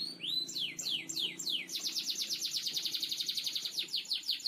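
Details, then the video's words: Master song of a canary in the gacor ngebor style, used to train birds: several quick falling whistled sweeps, then a long rapid rolling trill of repeated high notes. "Masteran Burung Kenari gacor ngebor"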